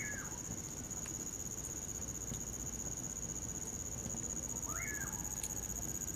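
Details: Winter recording of the common pauraque, called bacurau: the end of one whistle, then a full rising and falling whistled note near the end, against a constant high cricket trill and scattered campfire pops.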